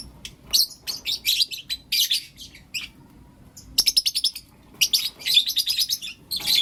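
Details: Blue opaline and lutino opaline lovebirds chirping and calling in the morning, giving clusters of rapid, shrill, high chirps that come in bursts separated by short pauses, with a brief quiet gap in the middle.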